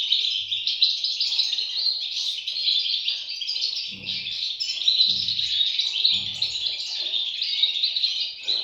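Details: Goldfinch nestlings beg with an unbroken, high twittering chorus of rapid overlapping chirps; three low knocking sounds recur about once a second partway through.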